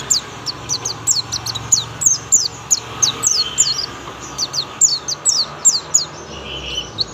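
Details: Oriental white-eye, a young bird, delivering a 'tembakan' song: a continuous stream of thin, high, falling chirps, fired off several per second, with a faint hum beneath.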